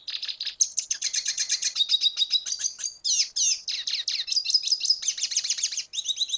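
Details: Continuous song of a Venezuelan red siskin: fast high twittering mixed with buzzy trills and short sliding whistles, barely pausing across six seconds, recorded close and clean.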